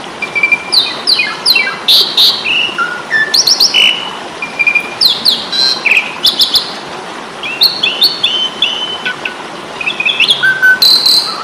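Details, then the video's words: Fighting song of the Asian pied starling, or jalak suren, from Indonesia, recorded to train caged birds: dense chattering bursts, whistled upslurs, flat notes and harsh clicks, delivered almost continuously. "Masteran jalak suren ,pasti tarung"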